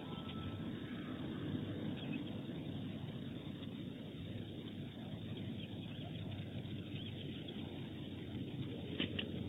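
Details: A steady low rumble of engine or aircraft noise fills the outdoor scene, with no clear animal calls.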